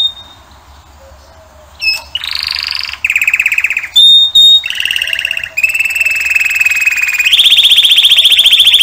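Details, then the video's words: After a quiet start, a male canary launches into varied tours: a buzzy trill, a pure piercing whistle, rattling rolls at different pitches, and a long high sustained trill. "Пение канарейки . Певчий кенар."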